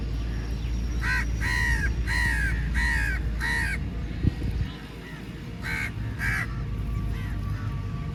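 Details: Crows crowding onto food at feeding time in a big flock, giving loud rasping caws in a quick burst of four or five, a short pause, then two more, over steady low background noise.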